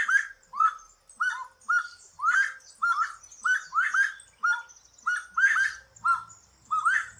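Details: Saffron finch from Brazil, its song made of emphatic rising chirps, some doubled, spaced about half a second apart in a steady, cheerful sequence.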